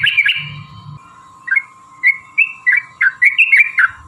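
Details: Yellow-vented bulbul fighting song, a long ropel used to provoke other bulbuls: a brief chattering burst, then a string of short, spaced whistled notes at an uneven rhythm, over a steady hum.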